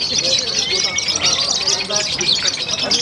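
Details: Konslet song from a yellow wesi kuning lovebird competing at the Piala Danyon Arhanud contest, Semarang, Indonesia: sustained high, buzzy chattering with barely a pause, mixed with excited human shouts.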